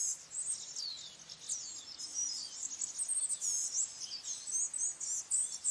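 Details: A Blue-gray gnatcatcher gives a steady stream of high, wheezy, twittering notes, a fast tumbling warble of thin squeaks and short slurs, with light background hiss.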